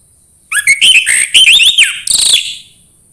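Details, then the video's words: A dense, rich phrase of Orange-headed thrush song, meant to prompt another bird to sing: fast warbled whistles sliding up and down, ending in a brighter trill, over a faint steady high hum. "anis merah sulit gacor coba PUTAR suara burung ini"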